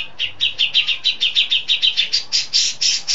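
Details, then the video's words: Settled, prolific grey-cheeked bulbul (cucak jenggot) giving long-shot song with learned fill-ins of besetan, lovebird, sparrow and cililin: a steady string of about sixteen bright, high chirps, rising slightly in pitch toward the end. "Cucak Jenggot Mapan & Gacor ( Long Shot Bird Song Cucak Beard )"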